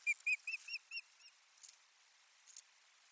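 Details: An osprey at its nest on 1 May 2020, bringing soft nesting material, gives a quick run of six clear, whistled chirps that grow fainter over about a second, followed by a couple of soft rustles.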